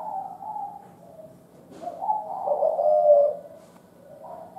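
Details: An old, wild-type spotted dove gives low, hollow coos, a soft phrase swelling into a louder, drawn-out coo near the end; no other sounds stand out.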